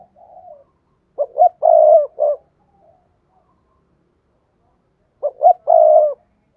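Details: A spotted dove repeating its cooing call, intended to prompt other doves to call. Each phrase has two short rising hoots and a sustained throaty coo, and the phrase comes twice, roughly four seconds apart. A faint coo is heard at the start.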